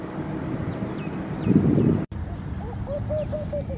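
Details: Laughing dove singing in Al Rahmanya, Sharjah, UAE: after a burst of low rumbling noise, a soft bubbling run of short mellow hooting notes on a steady pitch, about six in quick succession. Faint high chirps from other birds and constant low background rumble.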